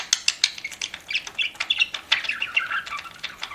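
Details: Pet budgerigar at its food, quick clicking chips repeated about three times a second interwoven with soft warbling chirps.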